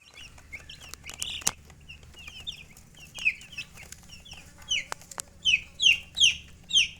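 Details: Chicks chirping: high, downward-sliding peeps in irregular bursts, growing louder and more frequent toward the end, with faint background hum and a few sharp clicks.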